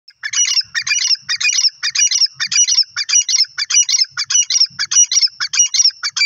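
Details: Grey francolin, known locally as teetar, calling: loud, harsh, grating phrases repeated rapidly and steadily, roughly one burst every half second for the whole stretch, with faint low thuds underneath and no other birds.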